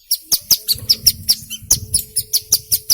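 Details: Singing hill prinia, used to stimulate birds to sing: steady string of bright, sharp high chips about five per second, with a low rumbling murmur and faint hum beneath.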